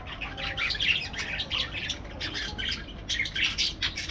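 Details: Many parakeets in an aviary chatter in overlapping, quickly repeated chirps and raspy squawks, rising and falling in short waves of loudness without pause.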